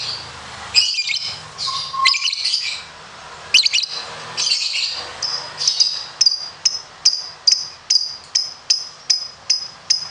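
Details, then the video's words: Lovebird of the competition type singing ngekek: ragged, buzzy chatter bursts give way to a steady series of sharp high chips, repeated about every half second. "Masteran Loveberd Ngekek panjang"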